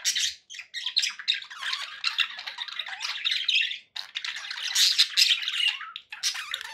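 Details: Continuous pet budgie babble in a small room, harsh squawks and buzzy chirps tumbling together with only two brief breaks.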